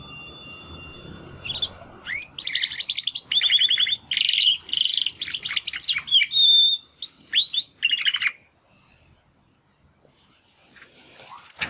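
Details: Practice singing by two Timbrado canary brothers after their first molt, born in the second breeding of 2020: dense rapid trills and rattles in separate phrases, a pure whistled note, then silence and a final chirp.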